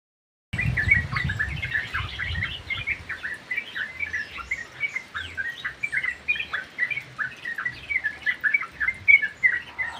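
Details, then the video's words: Yellow-vented bulbuls singing vigorously in an aviary: a dense, continuous stream of short bubbly chirps and slurred whistles, overlapping from several birds, with soft low rustling early on. "KICAU BURUNG TRUCUK GACOR 👍 Di DALAM AVIARY"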